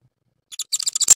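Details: Japanese tit at its nest in the evening, on the day the second egg was laid, as a larva-carrying male apparently comes courting the nesting female; a short series of sharp high ticking chips quickening toward the end.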